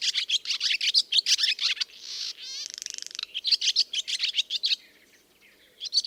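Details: Barn swallow singing in the spring chorus after returning to its old nesting barn: fast twittering chatter of rapid high chirps, a brief buzzy rattle in the middle, then more twittering.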